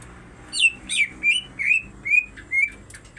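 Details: Greater green leafbirds, a female and a male, singing: a short sequence of six slurred whistled notes, the first ones high and falling, the later ones flatter, ending in faint chips.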